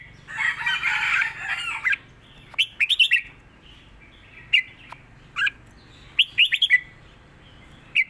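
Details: Red-whiskered bulbul, southern-style 'rik' master song. A rough, noisy burst opens, followed by scattered sharp whistled notes and a quick cluster of four chirpy notes, with a lone note closing the phrase.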